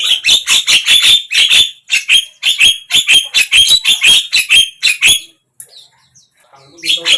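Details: Prolonged Javan myna chatter to make a mute bird open its beak and sing: about twenty harsh, rasping notes in a steady fast rhythm for five seconds, silence, then a final squawk.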